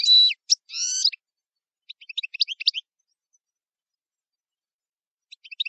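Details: Camper-style singing of a European goldfinch. A sustained buzzy note and a rattling trill open the passage. Next comes a fast, irregular spray of small tinkling twitters, repeated briefly at the end.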